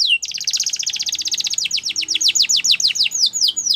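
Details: Canary song: a fast, even rattling trill that gradually slows into separate curved whistled sweeps, steady and high-pitched throughout.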